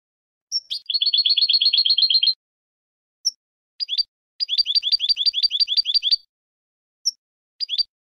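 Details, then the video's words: European goldfinch contest song used to train young goldfinches: a dense buzzy trill of rapid twittering notes for over a second, a brief pause, then shorter trilled bursts and isolated thin high notes on a silent background. "Canto del Jilguero 5 horas para educación de concurso"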